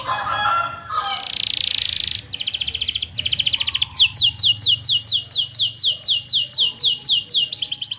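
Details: Canary in energetic rolling song, used to lure quiet canaries into singing: fast trills and buzzy rattles, then a long series of rapid rising-falling chirps about two per second, high and bright throughout, with a faint low hum underneath.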